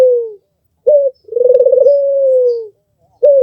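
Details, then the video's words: Albino Barbary dove with red eyes, a melodious master bird, finishing a falling coo, then a short clipped note, a long rolling coo with rapid pulses that flattens into a sustained tone, and another short note. Quiet background. "SUARA BURUNG PUTER MERDU"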